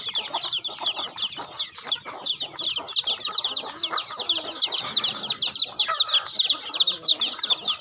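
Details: Chickens being fed on a home farm, giving a dense chorus of high, thin, downward-slurred peeps that overlap continuously, with faint pecking and rustling beneath.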